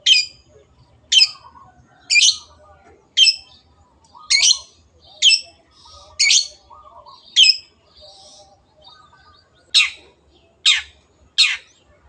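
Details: Long-tailed shrike in an energetic series of about a dozen rough, grating notes, with soft chattering and warbling filling the gaps.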